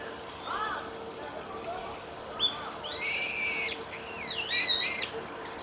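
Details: Female brambling at Saiko Wild Bird Forest Park, recorded 31 March 2018. Faint low sounds come first, followed by several nasal, slurred calls rising and falling in a strained, wheezy series over about three seconds.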